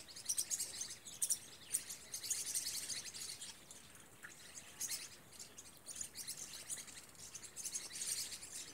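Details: A flock of green-rumped parrotlets in the Rio Real valley, Brazil, gives a steady, overlapping chatter of high, sharp chirps and short buzzy twitters, bursting every second or so, over faint background hiss.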